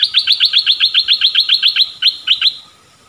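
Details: Streak-eared bulbul: a fast, even series of about fifteen bright chirped notes. Two more spaced notes follow before the sound fades out.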